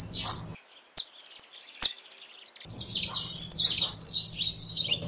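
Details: Saffron finch starting with a few isolated sharp chirps, then breaking into a rapid, sustained run of high twittering notes over a low hum.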